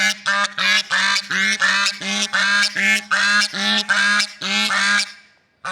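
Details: Long rhythmic series of loud swan honks in nature, each short and harsh, repeated about every half second, with the series tailing off at the end.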